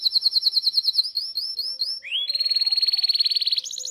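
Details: Canary singing on a training recording for young birds: quick repeated chirps in a steady rhythm, then an upward slide into a long, fast, buzzy trill and a higher closing roll.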